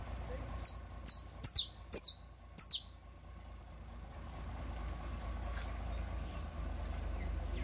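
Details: Saffron Finch song, said to be for teaching: six sharp high downward-slurred notes in quick succession over the first three seconds, then only a steady low rumble.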